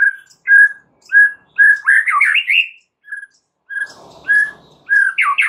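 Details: White-rumped shama singing as a lure to get other shamas singing and adding new material: clear steady whistled notes repeated about every half second, then rapid rising and falling warbled phrases separated by short pauses.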